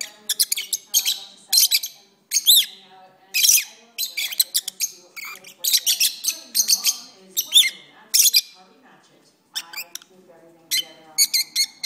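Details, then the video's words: Several pet lovebirds in a lengthy bout of song indoors, an almost unbroken stream of sharp, high, squeaky chirps and chattering notes in rapid irregular bursts, with only short gaps between phrases. "my Lovebirds are singing"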